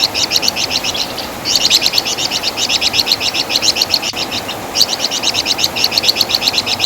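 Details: Flamboyan bird, or wergan jawa, a bird with a ringing song and distinctive chatter, recorded for training songbirds; near-continuous rapid high-pitched chirping in dense repeated trains with only a short break early on.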